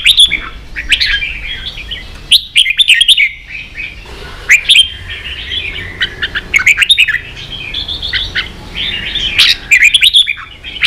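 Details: Red-whiskered bulbul singing ché-style song meant to teach young birds: dense, lively warbling with clear whistled notes and quick chirpy bursts repeated every second or two, almost continuous.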